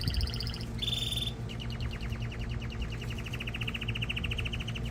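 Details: Male canary singing to prepare a female for mating and tutor chicks: brief high notes and a buzzy burst, then a long, even, rapidly repeated rolling trill.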